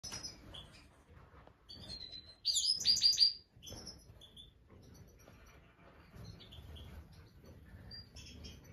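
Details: Black siskin that has laid its first egg gives high, thin chirps and twitters scattered across the clip, with one louder, buzzy burst of notes near the middle over a faint low hum.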